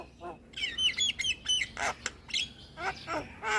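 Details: Javan myna song aimed at luring and conditioning moulting mynas: a series of clear whistled phrases, then harsh grating bursts and clicks repeated at irregular intervals.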